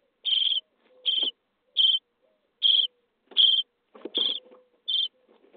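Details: Harsh, hissing begging calls from common starling nestlings being fed in a nest box on day 23, about seven even bursts repeated roughly every 0.7 seconds, with faint thumps and a low hum between calls.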